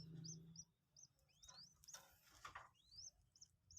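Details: Captive two-day-old Common Moorhen chicks learning to take feed give thin high peeps and a few upward-sweeping whistles, with handling rustles and a low background hum.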